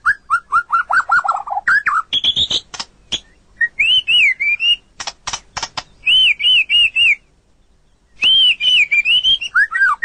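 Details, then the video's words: White-rumped shama, 2022, in varied song: repeated falling whistles, high slurred notes, loud clicks and bouncing, arched whistled phrases with a brief silence between them. "Suara Burung Murai Batu Beraneka suara"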